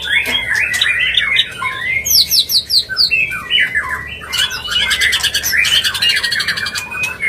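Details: White-rumped shama giving a mating call to bring a bird into breeding condition; squawky chatter, then high sharp whistled notes, then a fast trilled burst and varied warbling phrases.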